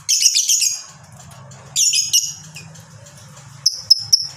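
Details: Fighter lovebird with long ngekek song, used to trigger other lovebirds: two extended harsh high chattering bursts, then three quick sharp ticks near the end, against a steady low hum.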